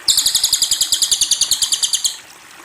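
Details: Cililin bird producing one steady rattling trill of about eighteen bright, high, evenly paced notes for two seconds before falling silent, faint hiss underneath.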